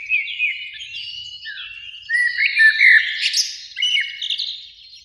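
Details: Continuous mellow warbling from a Eurasian blackbird, one of two singing in a beech tree by a lake in spring at evening; quick slurred whistles tumbling down, then louder fluting notes mid-phrase.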